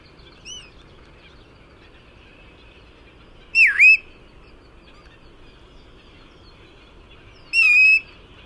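A Bristle-thighed Curlew gives clear whistled calls a few seconds apart: a faint note, then a loud dipping slurred whistle, then a longer, steadier whistle, over a quiet outdoor hush.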